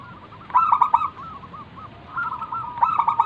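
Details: Singing wild local zebra dove, used as a calling lure for other doves. Two emphatic, choppy, stuttered bursts frame a quieter stretch of low rolling coos.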